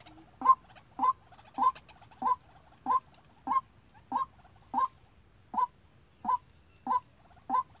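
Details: White-breasted Waterhen decoy for trapping, trained to call by itself: a steady series of loud, nasal kwak notes about every 0.6 seconds, with only quiet background.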